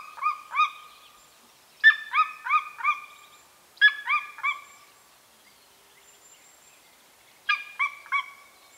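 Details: Golden eagle recorded in remote parts of the Carpathian mountains, Northern Romania, near a nesting site: clear, yelping notes with rich overtones, given in short bursts of three or four, the groups about two seconds apart, in a quiet setting.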